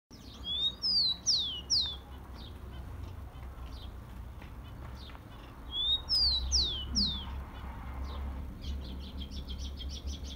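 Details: Rufous-collared sparrow, a captive bird's song used to warm up other caged birds: clear whistled notes, a short rising lead then slurred descending whistles, sung twice about five seconds apart, with faint twittering and low background hum.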